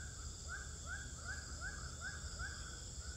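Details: Swiftlets inside a bird house in Pekanbaru, on day 12. Short rising chirps repeat about every half second over a steady high electronic hum and a low rumble.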